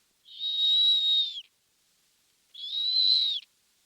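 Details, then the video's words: A snowy owl gives two high, steady, kettle-like whistles, each about a second long, with a slight upward lift and a drop at the end. "If it sounds like a kettle whistling, it's a snowy owl."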